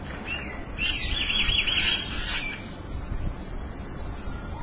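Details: Mynas calling to each other outdoors: a run of harsh, chattering and squawking notes, some rising, that stands out early over steady low wind-like rumble.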